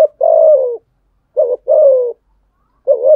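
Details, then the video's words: Spotted dove giving a fighting coo to challenge rivals, a stimulating cooing style: low, hoarse two-part coos, a short lead note then a longer slurred phrase falling slightly, repeated about every 1.3 seconds in silence. "Thúc gù chim cu gáy bài bản nhất hiện nay. gù thúc bài bản, kích bổi rất riêng gáy, cu đất gù đấu"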